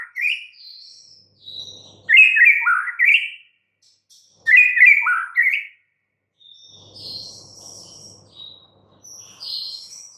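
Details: Caged white-rumped shama (murai batu) described as mute and stressed, being coaxed back to full song; short bursts of rich whistled phrases, some sliding and rising, separated by pauses, with faint high notes between.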